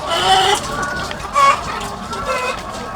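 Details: On a farm with thousands of egg-laying hens, a few louder, nasal hen calls burst out of a softer background of murmuring clucks, about three prominent calls over three seconds.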